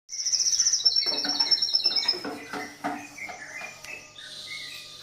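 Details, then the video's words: Crested jay singing in the morning: a rapid high whistled trill of evenly repeated notes for about two seconds, then scattered lower chirps and short notes fading out. "SUARA SOGON DI PAGI HARI"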